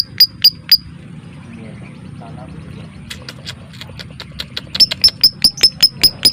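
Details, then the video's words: Lovebird giving 'ngetik' typing-style ticks, a lure for prompting singing and mating: a few sharp high clicks, a quieter gap with faint low murmuring, then a fast, even run of high ticks. "MASTERAN LOVEBIRD suara Ngetik ll Ngekek Rapat ll Rapi"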